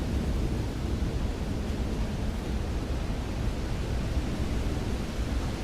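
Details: Steady loud broadband rumble like wind or distant traffic fills the recording throughout, with no clear calls standing out.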